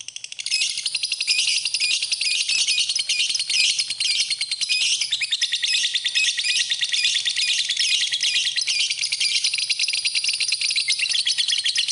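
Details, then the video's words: Lovebird singing for use as tutor audio: after a brief start, a long sustained torrent of rapid high-pitched chirps and buzzy twitters, dense and unbroken. "Kicauan Burung, Love Bird, Masteran Love Bird"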